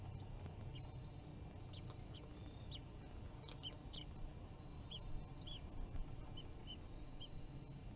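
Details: Bald eagle at its nest, filmed by a forest-service live camera in Kisatchie National Forest on 12.01.2022 at 15:48. About a dozen short, high, piping notes sound in an uneven series over a steady low rumble.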